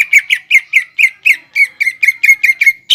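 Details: Lure song of a greater green leafbird in the 'nembak ngekek' style, meant to provoke young birds to imitate: a fast, steady string of about thirteen sharp, slightly slurred chips with no pauses.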